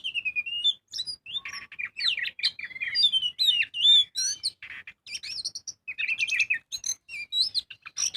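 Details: Oriental magpie-robin (kacer) in full song, played as a lure to make other birds sing: continuous rich medley of whistles, rising and falling slurs and fast trills, densely packed and high-pitched.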